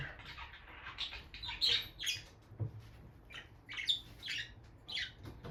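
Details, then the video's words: Bonded pair of peach-faced lovebirds near the nest box, female moving in and out, calling in scratchy, squeaky chirps grouped in short bursts about every second, with a faint low thump among them. "Parrot Chirping Sounds – Relaxing Lovebird Couple Vocalizations"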